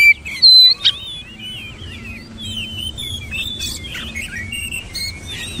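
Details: Oriental magpie-robin with a bright high whistle and a sharp note, then a fainter, continuous run of varied twittering and squeaky warbles.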